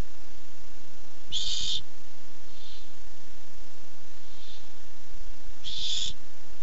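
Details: Barn owl coming by while looking for food, recorded 7 August 2015 on a nest camera: two harsh, hissing screeches about four seconds apart, each roughly half a second long, with faint softer echoing rasps between them.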